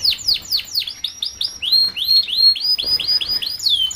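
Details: Canary song for tutoring young canaries to sing fast: a lively series of repeated sweeping whistled notes, falling then rising-and-falling, about three per second.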